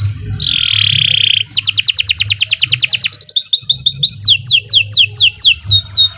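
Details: Canary song with a harsh buzz, then a fast rattling trill, a quick bright run, and a series of descending swept whistles repeated at a steady pace, over a low background hum.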